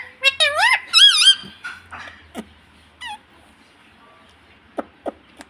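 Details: Ring-necked parakeet kept as a pet in India, mimicking the word "mummy": an opening cluster of wavering, sharply pitched squeaks, then sparse soft clicks and short notes over a quiet background hum.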